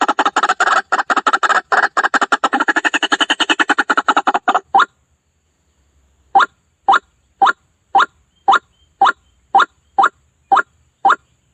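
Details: White-breasted waterhen (ruak-ruak) lure for trapping: opens with nearly five seconds of rapid, dense, chattering harsh notes, then a pause and a run of separate nasal 'kwak' notes about every half second.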